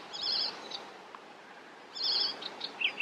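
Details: Västerbotten icterine warbler on 27 June 2021, giving brief high, jangling song phrases separated by a pause. Scattered sharp notes follow the second phrase, over a hiss of ambient noise.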